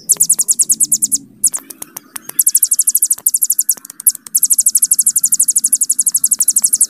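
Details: Hill prinia delivering its long 'bren' trill, a dense, very high, rapidly repeated note series that stops briefly twice before running on steadily to the end.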